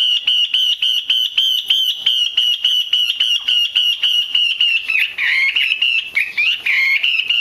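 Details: Female Chinese hwamei calling to stir male birds into song: a long, even series of clipped, nasal notes repeated roughly four times a second, breaking into rising and falling slurred notes near the end.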